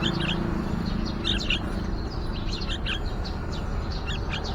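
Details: Yellow-vented bulbul at a nest outside a window, with a young bird near fledging: short paired high chirps scattered through the clip over a steady low rumble of background noise.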